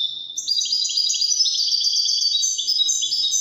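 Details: Continuous rapid twittering song of a European goldfinch in the Moroccan wydani style, dense high buzzy trills and liquid notes running without a break.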